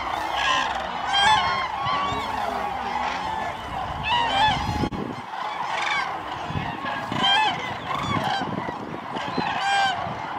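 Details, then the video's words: Common cranes massed at Lake Hornborga, loud trumpeting calls from numerous birds layered into a steady, noisy chorus throughout. "Tranor Hornborgarsjön, Cranes"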